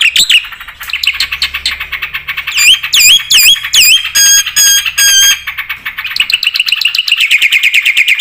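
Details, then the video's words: Black-winged starling 'full isian' song mixing scratchy chatter with clear, looping whistles and steady pure tones, ending in a fast run of repeated descending notes. "suara burung jalak putih gacor full isian"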